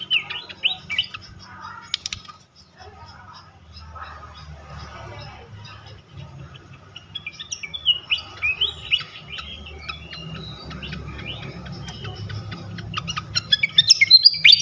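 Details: Flycatcher singing as a lure to provoke other flycatchers. It opens quietly with scattered high twitters, then builds into quick chirps, whistled slurs and sharp ticking notes that grow louder toward the end. A low rumbling hum runs throughout.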